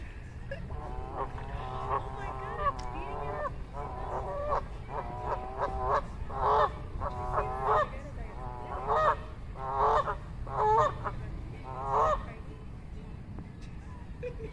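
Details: Canada geese calling during courtship: a long series of nasal, harmonic honks in quick clusters, repeated steadily for most of the stretch, over a constant low rumble of background noise.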